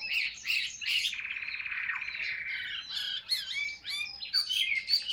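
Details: Caged Chinese hwamei singing in the 'ngũ trường cao cầu' style. Rapid mixed phrases, then a long rattling trill at one pitch, then a busy jumble of whistled, swooping and chirping notes.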